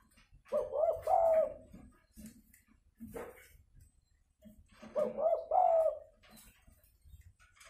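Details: Spotted dove fighting call, used as a lure so that decoy-trapped wild doves come down: two low, throaty rolling coo phrases about four seconds apart, with faint knocks and clicks in between.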